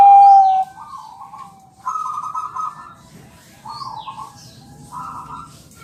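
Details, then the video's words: Bangkok-type champion zebra dove, used as a lure recording to prompt replies: a loud clear coo opens, then soft rolling trilled phrases come in separate bursts about every one and a half seconds. "Suara perkutut bangkok juara masteran ampuh bikin langsung nyaut gacor"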